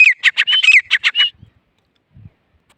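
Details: Grey francolin giving a rapid burst of about eight harsh, squeaky notes in just over a second, some with a rising whistled edge, followed by silence and two faint low thuds.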